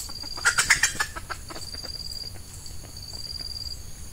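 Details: Female red junglefowl used as a lure for wild males, in peat scrubland during the active season: a burst of five or six loud, sharp clucks falling in pitch, over a steady high insect whine.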